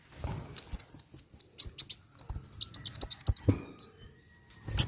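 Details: Van Hasselt's sunbird song, played to stimulate caged birds into singing: a fast run of very high, thin, sharply slurred chirps, about four or five per second, ending in a brief pause and a final note.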